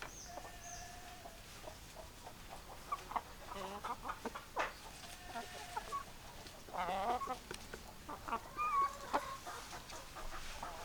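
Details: Hens and roosters clucking in a flock: scattered short clucks and a few drawn-out whining calls, busier toward the end with several rapid clucking bursts, with background hiss.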